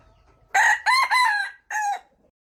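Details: A wild junglefowl rooster crows loudly, with a raspy first burst, a long two-part middle phrase and a separate short ending note, against near silence.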